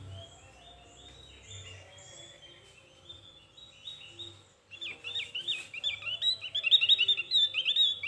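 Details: Javan white-eye with thin chirping song: a soft, steady run of fast high notes, then after a short lull an energetic burst of loud, varied, twisting warbles.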